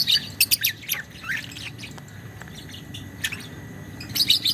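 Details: Young lovebird singing the long ngekek chatter style, used as a master recording for training: bursts of rapid, high, scratchy chirps in quick runs, with pauses between runs and a faint steady background hum.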